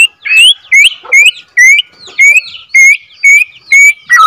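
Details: Borneo F2 white-rumped shama song for rousing other shamas: clear rising whistled notes repeated about twice a second, each followed by a higher thin overtone.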